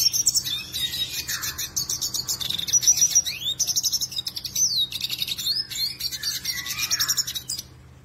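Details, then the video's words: Vigorous song of a Black-headed siskin, a seed-eating bird, kept as a song master. Rapid high twitters mixed with sweeping slurred whistles and buzzy rattles run for about eight seconds, then stop abruptly. "BlackHoded Siskin gacor"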